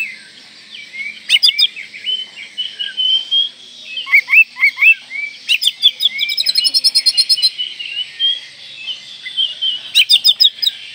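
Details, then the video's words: Oriental magpie-robin in full, richly varied song, meant to stir breeding condition and provoke rivals: continuous high whistled warbling with sliding notes, broken by bursts of rapid buzzy, scratchy chatter around seconds 1, 4, 6 to 7 and 10. "Kacer Gacor Full Isian Mewah Merangsang Birahi Agar Tetap Gacor Ngobra Dan Lawan Jadi Emosi"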